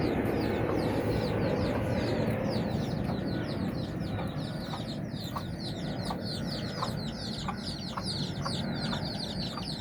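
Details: A hen leading her nine chicks on a walk in Bizkaia, Basque Country; dense, continuous high peeping from the brood, quick downward slurs piling over one another, with regular soft clicks and a strong low background noise.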